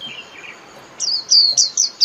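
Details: Japanese white-eye in líu song, for training caged birds: soft faint notes at first, then four loud high downslurred whistles in quick succession during the second half.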